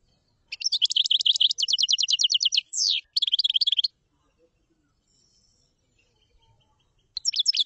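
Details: Common chaffinch song: a fast run of evenly repeated high notes for about two seconds, then a short buzzy note and a looser closing phrase. After a pause the next song starts.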